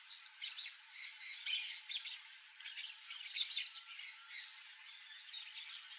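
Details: Free-living peach-fronted parakeets, Eupsittula aurea, giving harsh, grating squawks in irregular bursts, several calls overlapping in a chattering flock-like exchange, with a steady high hiss of insects or ambient noise beneath.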